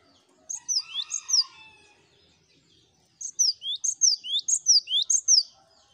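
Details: Several cinereous tits heard together on a gacor master track meant to prompt singing: two whistled phrases, then a brief harsh buzzy call, then a long run of high downslurred and rising note pairs repeated about once a second.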